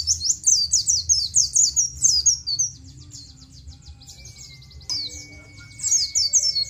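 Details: Oriental white-eye singing nGalas, a recording used to teach captive white-eyes; crisp high chirps in a fast rhythmic string for two seconds, a softer trilling lull, then another lively burst, with a faint steady whine.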